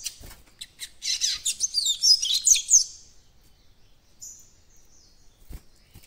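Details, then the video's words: Young caged White-throated Seedeater starting to open its encarte song, delivering a continuous two-second stream of rapid, high, twittering notes, followed by a soft fading whistle and a single click. "COLEIRO BAIANO FILHOTÃO QUERENDO ABRIR CANTO DO ENCARTE"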